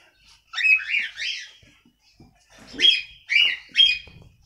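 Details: Cockatiel (Nymphicus hollandicus), song.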